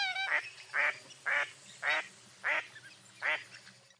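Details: Six evenly spaced harsh quacks from a mottled duck, each a broad nasal note roughly every half second, against a low steady hum.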